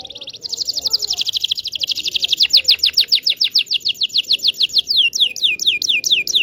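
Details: Local Indonesian canary song meant to teach young birds to sing; a fast buzzy trill that gradually slows into distinct repeated downward-slurred whistled notes.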